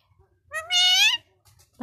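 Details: A pet parrot that talks Bangla gives one loud, drawn-out, meow-like cry with a rich stack of harmonics, held for about half a second. Faint room noise is heard around it, and a voice begins at the end.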